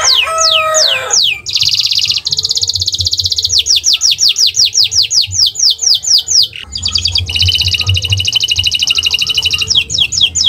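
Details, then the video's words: Canary in owor-owor style song for training caged birds, starting with a few falling whistles, then alternating dense rapid high trills and slower series of downward-sliding notes, loud throughout. "Gacor Owor-owor uhuii"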